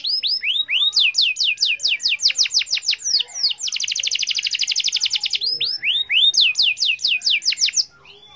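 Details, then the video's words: Lure song of a canary meant to set mute canaries singing: rhythmic falling whistles, then a fast, even rolling trill of about two seconds, then more descending whistled notes. "Pancing kenari dengan ini dijamin kenari bisu ikut gacor"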